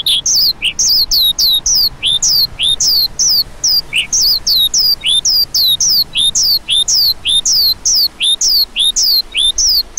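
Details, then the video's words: Lark singing a continuous, rapid stream of high, sharply down-slurred whistled notes, each a brief chirp, delivered several per second without pause; no other sounds stand out. "Lark Calling Sound"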